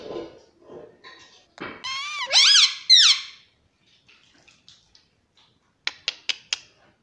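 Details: Pet parrot in a quiet room, with a few soft mumbles leading into two loud, rising-and-falling squawks, then near silence and a quick series of three or four sharp clicks.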